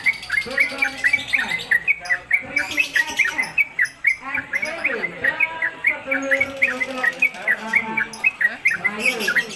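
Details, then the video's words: Caged Sooty-headed Bulbul, a newcomer bird kept as a tutor for other birds, in rapid rolling song on a hanging pole: quick bright chirped notes repeated densely throughout, with lower warbling sounds and murmurs in the background. "Trucuk Konslet Kemedol Berdurasi Pendatang Baru Cocok Masteran"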